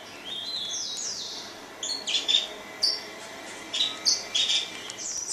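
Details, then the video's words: Grey singing finch in song: a drawn-out high sweeping note opens, followed by a run of short, sharp, chirpy twitters repeated roughly every half second, all high-pitched against a faint steady background hiss. "Greysinger singing المغني الافريقي"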